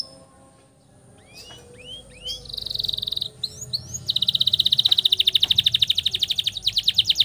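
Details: Canary performing a long roll for tutoring young birds: quiet opening, a few rising whistles, a buzzy trill, then a long, even, rapid roll of repeated notes from midway to the end.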